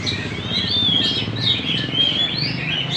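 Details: Magpie-robin singing actively (gacor) in Banjar: a continuous stream of high, thin whistled notes and chirpy warbles, some long steady tones, over a low constant rumble.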